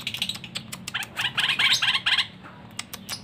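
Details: Sooty-headed bulbul kept at a home with many kinds of birds, gradually learning to imitate them: a fast burst of short, sharp chirps stacked in the high range, quickening and louder mid-phrase, then scattered clicks and faint background hum.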